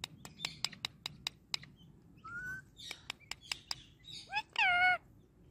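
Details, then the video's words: Talking Indian ringneck parakeet, a friendly pet: a run of crisp clicks, a short rising whistle, more clicks and chatter, then a loud wavering harmonic phrase near the end. "My Non Stop Talking Ringneck Parrot"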